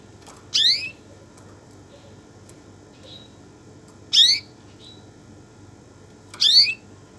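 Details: Canary uttering three separate rising chirps with buzzy overtones, roughly every two to three seconds, plus a couple of faint thin whistles in the gaps over a steady low hum.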